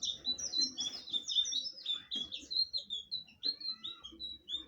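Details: Blue flycatcher song: a rapid chain of bright, high whistles and twittering slurs. It thins into separate falling notes toward the end, with soft low background noise throughout.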